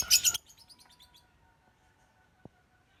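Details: Lutino African lovebirds: a loud, shrill screechy burst at the start, then a series of fading, quieter chirps.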